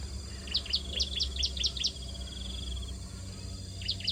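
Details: Bar-winged prinia chicks begging as they are fed in the nest: a quick string of about seven shrill chirps, then a fine buzzing trill and a brief renewed chirp burst, with low background rumble.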